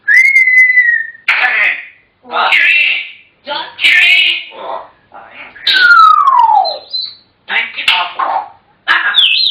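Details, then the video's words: African grey parrots chattering indoors: speech-like bursts mixed with a long clear whistle at the start and a sliding, falling whistle near the middle. "Chatterboxes!! African Grey Parrots"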